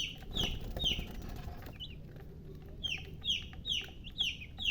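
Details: Baby chicks peeping: high downslurred chirps repeating quickly, with a rustling low noise at the start and a pause before the peeps resume.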